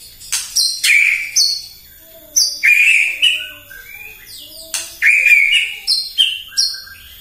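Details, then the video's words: White-rumped shama in the morning, singing to provoke other birds: loud whistled phrases mixing clear notes and sharp high chips, given in bursts with short pauses between. "PAGI-PAGI MURAI AUTO EMOSI MENDENGAR PANCINGAN INI❗ GACOR FULL❗❗"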